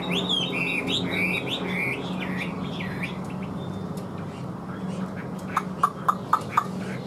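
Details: Kept Chinese hwamei, large-bodied and praised as a good singer, opens with a fast run of looping, warbled whistles for about two seconds before fading. A hum and soft background noise follow, ending with a few sharp clicks.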